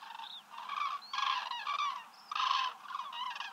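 A common crane gives loud, rolling, trumpeting calls in about five bursts of roughly half a second each, harsh and resonant, with short gaps between.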